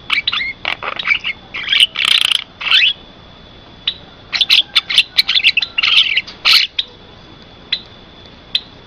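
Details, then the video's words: Javan myna song used as a lure: clusters of scratchy, rasping chatter and clicks in several bouts separated by short pauses, with a few single ticks at the end. "MP3 suara jalak kebo , bisa untuk pikat sangat ampuh"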